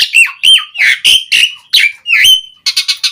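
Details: Asian pied starling singing to call other starlings: loud harsh squawks with slurred whistled notes, about seven phrases in under three seconds, ending in a quick burst of four short buzzy notes.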